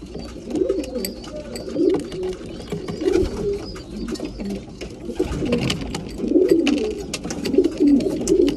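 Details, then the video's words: Breeding pigeons at mealtime give low cooing calls in overlapping bursts, with clicks and scuffling from the birds all through. "Breeding pigeons / mealtime"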